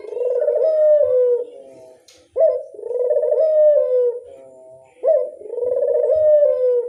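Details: Ringneck dove lure call: three long harmonic coos, each opening with a sharp rising note and then a steady, slightly falling purring tone, repeated about every two and a half seconds against a quiet background.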